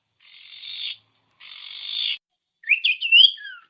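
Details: Common iora tutor song meant to rouse silent caged birds. Two drawn-out rasping buzzes are followed by a quick flourish of looping whistles and a falling slurred note.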